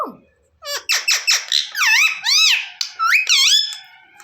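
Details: Angry pet green parrot with a red beak screeches in fast, shrill, squeaky notes. Sharp descending chirps open into looping rise-and-fall squawks, about five in four seconds, with a person saying "Mommy" nearby.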